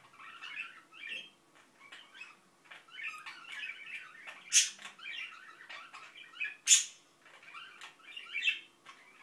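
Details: Pet Indian ringneck parakeet mumbling indoors: soft, garbled chattering phrases in short bursts, broken by two sharp, loud clicks or squeaks midway.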